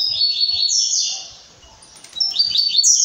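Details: Blue-black grassquit in brown plumage singing: a buzzy, wheezing high phrase of about a second, a short pause, then another rasping burst beginning.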